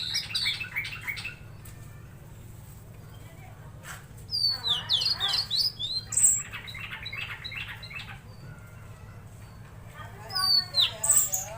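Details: Tledekan laut singing actively: rapid chattering phrases of short notes, then a dense burst of downslurred whistles and buzzy chatter. Another quick twittering run closes the passage, over a constant low hum.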